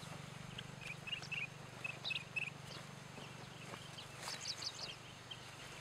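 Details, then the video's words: Two chestnut-headed bee-eaters perched at Khao Yai, seemingly chatting to each other, give short, rolling chirps, several per second and fairly high, with a few sharper high notes near the end over a steady low hum. "นั่งดูนกสองตัวนี้เพลินๆ ไม่รู้คุยอะไรกัน"นกจาบคาหัวสีส้ม Chestnut-headed Bee-eater""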